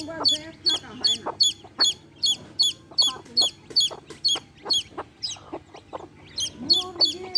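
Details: Baby chicks with a hen chirp steadily, high sharp peeping notes repeated about two or three times a second, over soft low clucking from the hen and faint background hum.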